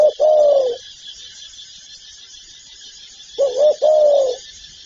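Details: Spotted dove (cu gáy) from a full set of calling, urging and cooing: two paired, hollow coo phrases about three seconds apart, over a steady high hiss of insects.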